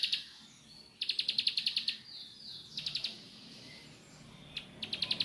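Bar-winged prinia giving fast bursts of sharp, high, evenly spaced chipping notes, about eight per second in runs of a second, with brief pauses between bursts.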